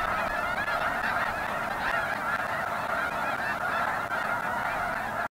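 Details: Snow goose flock in full voice, a continuous mass of overlapping honks that cuts off abruptly just before the end.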